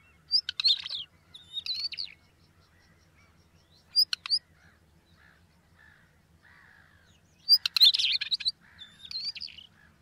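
Northern Wheatear singing short, scratchy, crackling phrases mixed with sharp clicks, delivered in bursts a second or two apart, over a faint low hum.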